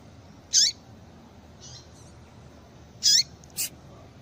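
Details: Repeated female double-collared seedeater calls used to excite males: two bright downward-sliding notes about two and a half seconds apart, faint soft notes between them, and a sharp click near the end.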